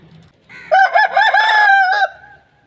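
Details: Aseel rooster giving a single strong crow, a rough, throaty call that wobbles in pitch through several pulses, holds level, then ends with a short clipped final note.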